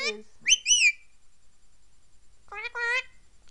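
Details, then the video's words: A 13-year-old male Indian ringneck parakeet, kept as a rescued pet, gives short, squawky, speech-like phrases: a quick rising-falling pair of notes, then a two-part harmonic phrase, ending in a sharp burst. The owner talks nearby. "Indian Ringneck Parrot Talking"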